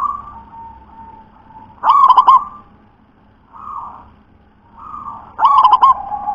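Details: Zebra dove of local wild stock, sung in the deep, thick 'ulem' style: two bursts of rapid, rolling coos about three and a half seconds apart, with quieter humming notes drifting between them.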